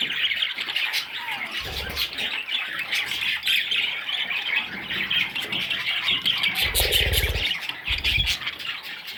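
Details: Nestling budgerigars keep up hoarse, shrill begging squawks throughout, rising and falling in intensity, with a few low knocks and rustles.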